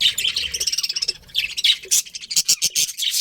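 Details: Several budgerigars chirping: a rapid, continuous warble of high, scratchy notes pulsing many times a second, breaking into louder separate chirps and squeaks toward the end.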